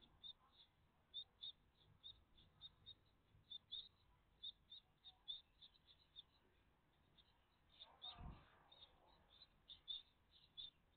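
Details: Great tit family at the nest, recorded live on 14 June 2023 in the morning: a steady stream of short, high chirps repeating several times a second, with one low thump partway through.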